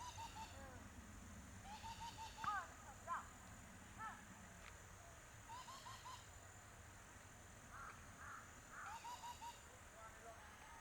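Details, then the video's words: Several coots give short, clipped nasal notes, singly and in quick pairs, with a few louder sharp calls and occasional grating bursts, over steady low background noise. "amazing water birds life and sound"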